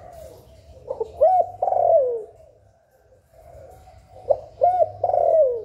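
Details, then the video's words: Spotted dove calling and cooing to stimulate other doves, recorded directly without background noise. Two soft, mellow cooing phrases, each a few short rising notes then a longer drawn-out croo, with a faint low hum between them. "Cu Gáy Gáy Gọi + Thúc + Gù bài bản kích bổi hiệu quả"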